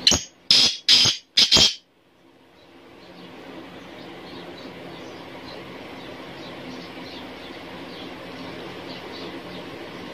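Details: Single burst of four rasping, high-pitched notes from a black francolin at the very start, delivered quickly within two seconds, then faint steady background noise for the rest.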